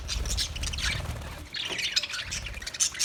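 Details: Budgie song of scratchy chirps and squawks in two bursts, with a low rumbling background at the start.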